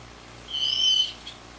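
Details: A varied thrush calling in the rain gives one long, steady, burry whistle on a single high pitch, lasting about half a second, over a soft background hiss.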